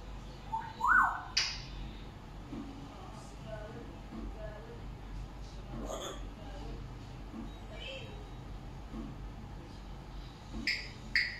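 African grey parrot producing a few short, speech-like syllables and sharp upward whistles, spaced several seconds apart, over a low steady room hum.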